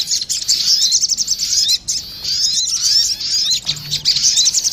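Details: Crested jays, female and male, answering one another in a lure recording: nearly continuous shrill, buzzy twitter with quick rising slurs and a momentary break near two seconds.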